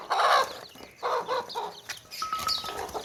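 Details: Clucking hens beside chirping baby chicks in a tokri basket, giving short rough clucks in quick bursts, one steady tonal note near the end, thin peeps faintly behind.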